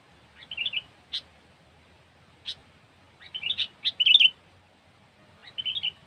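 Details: Sooty-headed bulbul song used for bird luring: short bubbly chirped phrases with quick warbled notes, separated by single sharp clicks and brief pauses, louder and busier near the middle, over faint low background noise.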